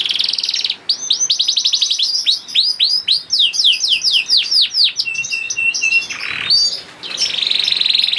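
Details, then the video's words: Song of a young canary meant to stimulate other canaries to sing: opening buzzy trill, rapid series of downward-curving sweeps, level whistled notes, a harsh burst, then a returning buzzy trill. "PANCINGAN KENARI PAUD TERBUKTI AMPUH MEMANCING KENARI SUSAH BUNYI IKUT GACOR"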